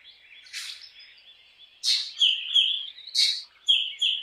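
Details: Black drongo: a faint rasp, then loud harsh bursts each followed by bright whistled notes, repeated roughly every second and a half.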